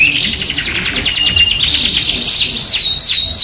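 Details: Lively Yorkshire canary used as masteran to train other canaries: fast, even rolling trills with a pure whistled note held twice, followed by a run of swooping downslurred whistles.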